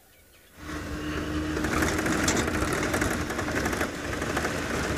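An engine starts up after half a second of quiet and then drones steadily with a rattling, machine-like hum under outdoor ambience, with no animal calls.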